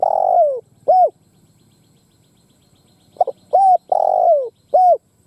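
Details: Decoy spotted dove calling to goad wild doves into a fight. Two phrases are heard, each a long, falling, hoarse coo and a short rounded note, opened by brief clipped notes, with a pause between them.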